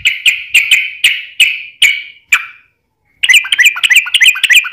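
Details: Yellow-vented bulbul lure song for drawing answers from other bulbuls: eight spaced, ringing notes slowing toward the end, a pause, then a fast bubbling chatter.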